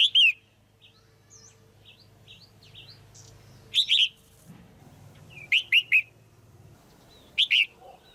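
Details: Female red-whiskered bulbul in a cage calling to excite a male or to pair: loud, clear, down-slurred whistles in short clusters of two to three, softer chirps in between, faint low hum.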